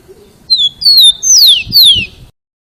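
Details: Loud rufous-collared sparrow song, meant to stimulate other sparrows to learn to sing: two pure, high, dropping whistles, then two longer whistles sliding steeply downward, very clear and close.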